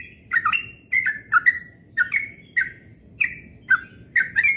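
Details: Ropel song at dawn from a yellow-vented bulbul: paired and single liquid whistled notes, each sliding down, spaced by brief gaps, over a faint continuous high tone.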